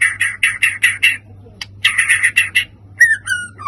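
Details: White-rumped shama song used as a lure to stir up other birds. Bright whistled notes repeated about six times in quick succession, a short pause, another run of the same notes, then a falling, slurred whistle.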